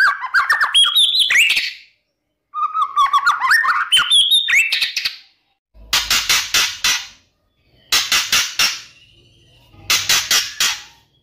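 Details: White-rumped shama singing a morning lure song meant to stir rival birds. Rapid whistled and twittering phrases are followed by three loud harsh rattling bursts separated by short pauses.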